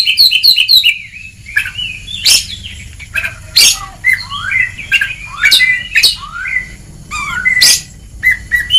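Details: Oriental magpie-robin training song opening with quick repeated high notes, followed by a long varied sequence of whistled slurs separated by harsh, noisy bursts.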